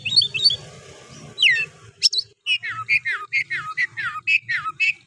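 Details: Oriental magpie-robin singing to stir other males, with low humming in the background: a few sharp whistles, then a steady series of downslurred whistled notes repeated about three times per second.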